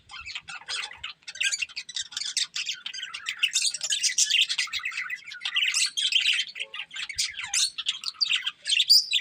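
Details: Budgerigars in a breeding pair chirping: long, dense stream of scratchy warbling, clicks and squeaky tweets, near continuous with brief dips in loudness.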